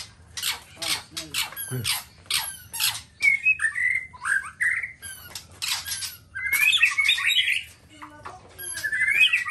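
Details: Black-tailed white-rumped shama, Nias type, in full song: loud explosive clicks and rattling bursts alternating with rich warbled whistles that rise and fall, delivered in energetic varied phrases.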